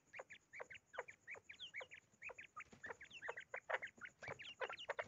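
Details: A hand-tamed common quail in an angry mood gives a fast, harsh string of short clucking notes, each sharply slurred downward, several a second, in an irregular, agitated chatter.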